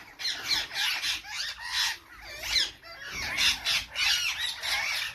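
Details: A group of parrots screeching: dense harsh rasping squawks in repeated loud bursts, each lasting roughly half a second, with a brief lull before the calling resumes.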